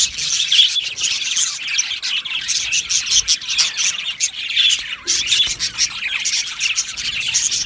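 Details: Australian budgie colony in an aviary, lively overlapping chirps, squeaks and harsh squawks from numerous birds, the chatter swelling and easing in waves.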